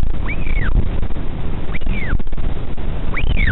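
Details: Northern royal albatross father returns to the nest to check on his chick at the Pukekura/Taiaroa Head colony near Dunedin, New Zealand, communicating with it: three clear whistled calls, each rising then falling, about 1.5 s apart, over rumbling wind.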